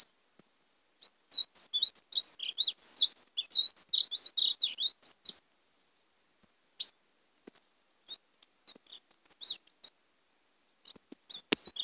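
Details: European greenfinch song used to lure and catch greenfinches, in a warbling style: a rapid burst of twittering high chirps for about four seconds, then scattered single notes with some clicks and brief silences.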